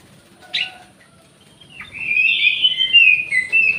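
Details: An orange-headed thrush held in an aviary beside a jali bird gives one short sharp note, then after a pause a sustained flowing phrase of loud, sweet, wavering whistles.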